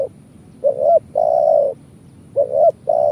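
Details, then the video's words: Spotted dove cooing, the call used as a lure for trapping birds: low hollow coos in a repeating pattern of a short rising note followed by a long steady coo, against faint background hiss. "Suara Burung Tekukur kuk 1"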